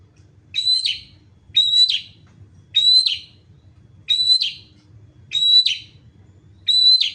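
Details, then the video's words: Long-tailed shrike in full song, a bright harsh phrase repeated about every second: a short high whistled note with scratchy buzzy bursts, six matching phrases over quiet low background rumble. "burung pentet gacor"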